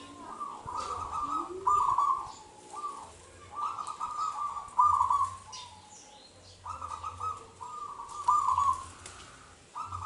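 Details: Local wild zebra dove in Indonesia, song used as a lure to prompt other doves to sing: phrases of rapid, trilled, cooing notes, each about a second long, repeated with pauses, over a faint low hum and background hiss.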